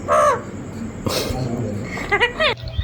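A parrot gives a hoarse, arched crow-like caw, then a quick run of short nasal notes. A person's voice and room noise are heard between them.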